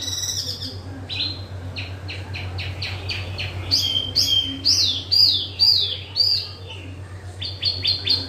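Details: Small yellow-vented bulbul singing energetically in captivity: series of sharp chirps followed by loud sweeping whistled notes, steady low hum beneath.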